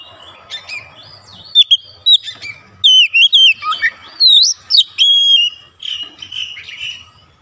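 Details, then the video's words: Oriental magpie-robin in full song after one prompt: a varied run of clear whistles, upslurred and downslurred notes and quick chirps, delivered in bursts with brief pauses, mostly high-pitched, with a faint background hum. "sekali pancing Kacer langsung on buka paruh gacor"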